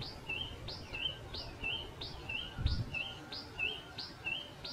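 A pipit repeats a thin, high falling note followed by a short buzzy chip, about every half second, over a low background rumble.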